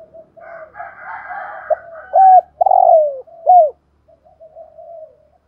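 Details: Decoy spotted dove of the 'giọng thổ' voice style, cooing and calling: soft murmuring coos lead into a single phrase of three loud, low hooted notes, the middle one longest and falling, then fading murmurs.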